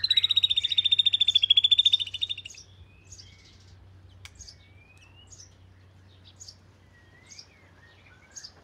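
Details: Oriental magpie-robin (binla), a household's first bird, of southern Thai type, opens with a loud rapid rattling trill lasting two seconds, then gives scattered soft, thin whistled notes and short slurs with long pauses.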